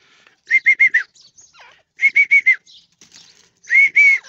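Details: Grey francolin (teetar) calling: three bursts of loud clear ringing notes, the first two in rapid sets of four and the last a pair, with quiet gaps between.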